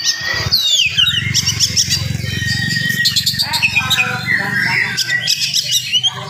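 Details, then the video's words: Oriental magpie-robin in full morning song, fast and tightly packed, used to stir up other magpie-robins. Varied rich whistles, upward slurs and trills over a steady low hum. "SUARA KACER GACOR DIPAGI HARI SPEED RAPAT cocok untuk naikin emosi kacer yang dengar"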